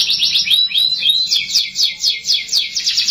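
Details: Canary song meant to coax young canaries into singing: continuous high trilled phrases, rapid repeated notes sliding and rolling at a steady pace.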